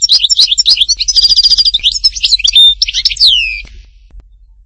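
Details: Lively European goldfinch song from Hattatba, Tipaza: dense tinkling chatter with buzzy trilled runs and a clear whistle, closing on a long downward-gliding nasal note.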